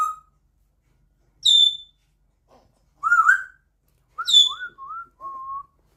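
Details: Very loud African grey parrot kept as a pet, mimicking a dishwasher beep: sharp high flat beeps alternate with mid-pitched looping whistles, finishing in a series of short rising whistled chirps and a level tone.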